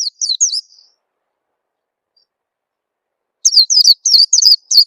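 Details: Oriental white-eye lure call used so that other birds start singing sooner: a short trio of sharp, high, downward-slurring tweets, then a long silence and a second run of six bright, repeated chirps.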